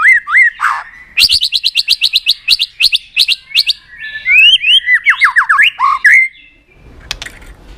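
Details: White-rumped shama song used to stimulate other shamas: rising whistled notes, then a fast series of sharp repeated chips, then sweeping slurred phrases, ending in quiet.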